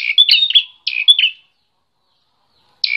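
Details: Bar-winged prinia described as an emotional fighter, singing clipped buzzy chirps in two quick bursts, then a pause of over a second before another phrase begins.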